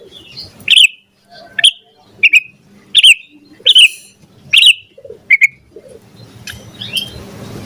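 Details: Captive yellow-vented bulbul calling with sharp liquid whistles repeated roughly every second, each note quickly rising and dropping, then a softer stretch with faint distant notes.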